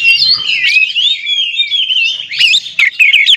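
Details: Loud song of an oriental magpie-robin, used to provoke other magpie-robins into singing: fluid, high warbling and sliding whistles, ending in short, sharp chirped phrases.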